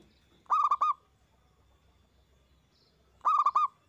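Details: Local Zebra Dove, a loud and prolific singer, used as a lure to make other doves answer: two clear, ringing coo phrases near 0.5 and 3.3 seconds. Each phrase is three quick, even-pitched notes over a quiet background.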